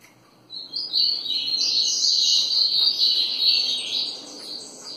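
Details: Double-collared seedeater beginning after half a second of quiet, then pouring out a steady high twittering grego ferradura song over a soft background hiss.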